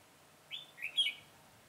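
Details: Red-whiskered bulbul acting as a trap decoy for wild birds, 22 September 2017: a brief crisp phrase of three sharp, chirpy whistled notes with a loud final flourish, against near silence.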